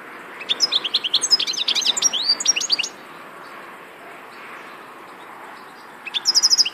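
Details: Rapid, jangling European goldfinch song of dense high twitters for about two seconds, followed by a long quiet gap before another short burst of bright trills starts.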